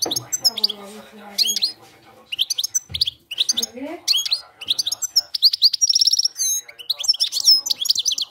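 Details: A European goldfinch sings a field-style song, a fast, liquid twitter of high tinkling notes mixed with buzzy trills, almost without pause; faint low tones, perhaps a voice, sit underneath.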